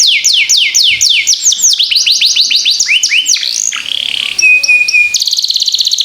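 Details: Canary song meant to prompt other canaries to sing: fast repeated descending whistled sweeps about four per second, shifting to quicker trills, a sustained pure tone and a rapid buzzy rattle at the end.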